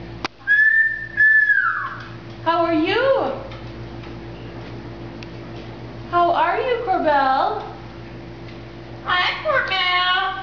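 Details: A zoo double yellow-headed amazon parrot chatting with guests gives a clear, level whistle that drops at the end, then three bursts of speech-like talking, with a steady electrical hum underneath.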